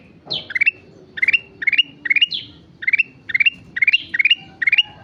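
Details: Lively singing (gacor) of a sooty-headed bulbul: steady run of clipped rising note clusters roughly twice a second, mixed with high downward-sweeping calls, over a quiet low-pitched background.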